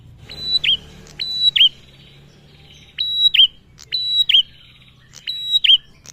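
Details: Male bar-winged prinia used as a singing lure, giving five quick phrases of a flat shrill whistle followed by a hooked downward chirp, irregularly spaced, over a soft low hum.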